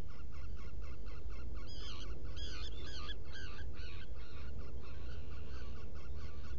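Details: Black guillemot inside its nest burrow at Seal Island NWR, Maine, early morning of 20 June 2018. Fast train of short notes, about two per second, swelling midway into louder, wavering whistled bursts before fading back, with constant background rumble.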